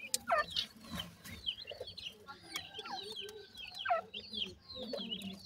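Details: Young teetar francolins, a family of chicks under human care, feeding while they give scattered thin, high peeping chirps over a soft background murmur.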